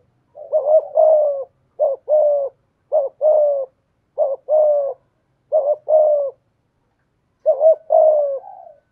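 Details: A spotted dove used as a decoy gives six evenly spaced two-part coos in the 'giọng thổ' manner, each a short burry note then a longer low coo, the last one drawn out and fading.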